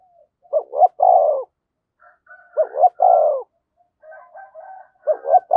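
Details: Spotted dove decoy urging and calling wild doves, 'giọng thổ' voice. Three-part coos repeat about every two and a half seconds, two clipped hoots then a sustained throaty note, with soft higher murmurs in the gaps.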